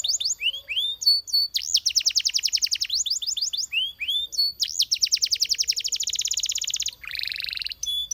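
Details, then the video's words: Belgian canary singing: bursts of rapid downward-sweeping whistled notes, a long, fast rattling trill from about five to seven seconds, then a short buzzy phrase and a final clear note. "The Sound Of The Belgian Canary Tempts Your Canary To Sing"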